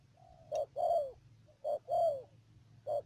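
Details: Decoy spotted dove in a trapping setup, Đầm Dơi area, Cà Mau province, Vietnam, March 2019; soft hollow coos arranged as short note then longer falling note, repeated twice, over a steady low hum.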